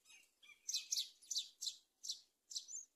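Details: Myna at a nest on a palm tree, the mother bringing locusts to feed her chicks; a series of six loud, harsh, scratchy chirps in quick succession, each a short burst, about two per second.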